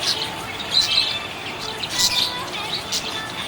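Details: Happy budgerigar chirping in quick, high, squeaky notes, a few louder bright chirps rising above soft warbling and background hiss.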